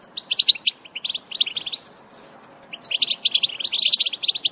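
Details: European goldfinch twittering, intended to stimulate other goldfinches' song: bursts of quick bright chirps, a quiet stretch of about a second, then a denser tinkling flurry.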